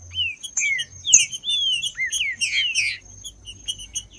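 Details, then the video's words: Green-winged saltator song played to warm up and stimulate birds kept by tournament breeders: loud slurred whistles sliding down from high to mid pitch, several phrases in quick succession, with high thin chirps and a steady high whine behind. "TRINCA FERRO CANTANDO"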